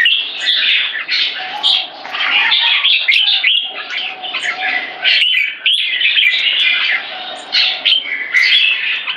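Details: Red-whiskered bulbul (jambul) in a C-shaped aggression stance: loud, dense song of tumbling whistled and chattering notes in long bursts, broken by brief pauses.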